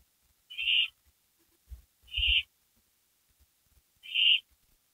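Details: A pair of owls returning to a porch at 12:12 AM, May 3, 2012; three rasping, hissy screeches spaced about one and a half seconds apart, with faint low bumps and scuffs underneath.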